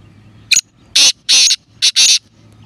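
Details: Black francolin giving a single short note followed by four loud, harsh, scratchy notes in quick succession, the last two paired closely. Low background hum throughout.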